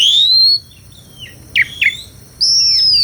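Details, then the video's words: Asian pied starling (jalak suren) song: long clear whistles rising then falling, separated by a pause and two short sharp downslurred notes, then another sustained high whistle. "SUARA KICAUAN BURUNG JALAK - JALAK SUREN GACOR MERDU SEKALI..!!"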